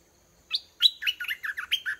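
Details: Decoy red-whiskered bulbul in a cage, calling continuously to draw a wild bulbul down for a fight; one clear whistled note, a pause, then a lively chain of six or seven rolling, liquid notes.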